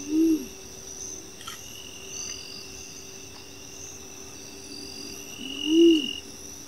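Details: Striped Owl recorded at Las Varillas, Córdoba: two low, short hoots, one at the start and another about five and a half seconds later, each slightly arched in pitch, over a steady background of insect trilling.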